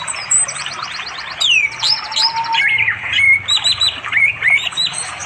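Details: In forest beside a flowing river in rural East Java, an orange-headed thrush calls a female to mate in the afternoon; rich rapid medley of twittering notes, whistled slurs and short trills, recorded with an Android phone.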